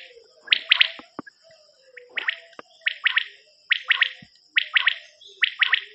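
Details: Common quail call, from a quail cassette: bright three-pulsed phrases repeated at steady intervals over a faint constant high hiss, with a few clicks between phrases.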